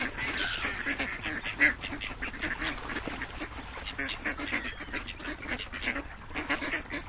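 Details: Many ducks quacking together in a dense, overlapping chorus of harsh nasal calls, steady throughout with one louder quack near the start.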